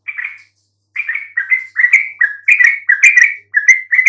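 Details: Lure song of a yellow-vented bulbul meant to draw an answer from quiet birds: one chirp, a pause, then a rapid tumbling string of warbled, slightly buzzy notes.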